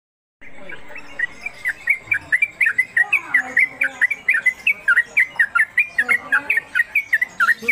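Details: Trucuk (Yellow-vented Bulbul) newcomer bird singing in konslet kemedol style, long-duration, suited as a master tutor. Rapid chattering, bubbly notes repeat several times a second in an unbroken run, with faint background hiss.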